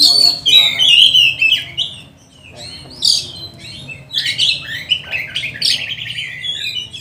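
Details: Oriental magpie-robin in full, intense song used as a lure to train and provoke other magpie-robins, recorded during lockdown. Loud, varied whistles and buzzy trills sliding between high notes come in rapid bursts, with a faint low hum underneath.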